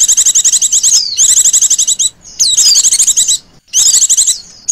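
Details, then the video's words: Oriental white-eye female, her call used to draw in other birds: near-continuous high buzzing trills in four long bursts, laced with falling whistled slurs, separated by short pauses. "pancingan pleci betina ngecirrr"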